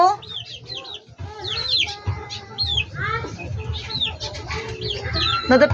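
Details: Shrill looping peeps from backyard chickens, some rising then falling, a few longer flat whistled notes mixed in, with soft voices and a low engine-like hum behind.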